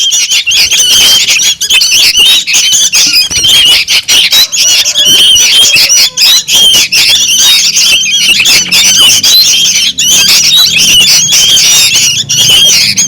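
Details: Sooty-headed bulbul youngsters raising a racket, played to lure birds: long continuous wall of high, scratchy squeals and chatter from many birds, steady in intensity, with a faint low hum underneath.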